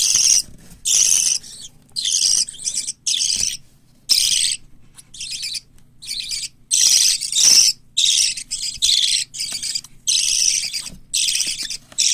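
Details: Young white lovebird, cockatiel and budgerigar chicks, pets being raised for hand-taming in Japan, keep up a near-continuous string of rough, scratchy chirps, burst after burst for twelve seconds with only short pauses.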